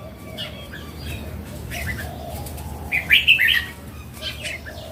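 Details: A single lively phrase of four quick, bright, bubbling notes midway through, sung by a mature wild red-cheeked Red-whiskered bulbul, with faint chirps and gentle background hiss around it.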